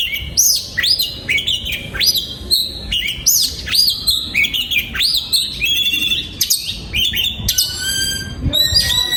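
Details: Aviary-kept breeding oriental magpie-robin pours out a lively song of repeated upward-hooked whistles, crisp chips and a rattling buzzy trill near the end, delivered in quick, rhythmic bursts.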